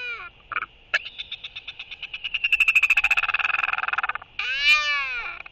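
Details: Royal albatross welcoming an incoming partner with skycalls during a courtship display, recorded 11.6.23: a rapid train of harsh pulses speeding up for about three seconds, then one drawn-out, arching, harmonic bray over a steady high background tone.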